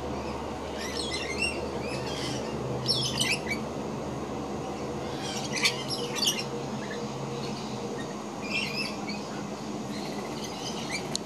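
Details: A scaly-breasted lorikeet (Trichoglossus chlorolepidotus), filmed close up, gives shrill, grating screeches in short bursts every second or two over a steady low background rumble.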